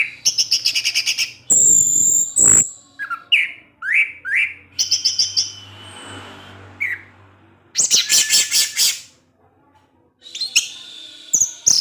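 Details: Orange-headed thrush kept in captivity, singing ngecip ngecis teler: fast stuttering trains of high chip notes, several looping whistled arcs, a soft rasp, then more rapid chip bursts after a brief pause.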